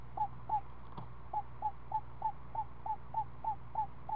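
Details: Screech owl at the nest of a week-old owlet being fed a snake. Short, hooked, down-slurred notes come about three times a second in a steady string, with faint background hum.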